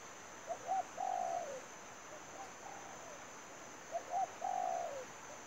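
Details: Decoy spotted dove for trapping: two full phrases, each two short rising coos and a long coo sliding down, about three seconds apart, a quieter reply between; continuous high insect buzz.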